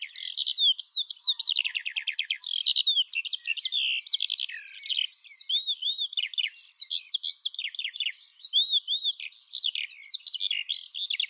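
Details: Unbroken, fast-paced song of a Eurasian skylark: high chirruping trills, rattling buzzy bursts and looping slurred whistles repeated about three times a second, clear and close with a quiet background.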